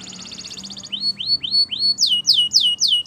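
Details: Belgian canary in morning song: a quick buzzing trill gives way to a few slow, rising-then-falling whistles, then a run of loud, sharp downslurred notes, with light background hiss.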